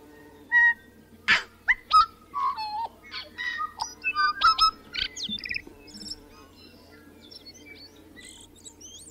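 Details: Tui singing a varied song of clear whistled notes, sharp clicks and ringing tones at shifting pitches, delivered in a rapid burst through the middle then tapering into softer high notes, over a steady low hum.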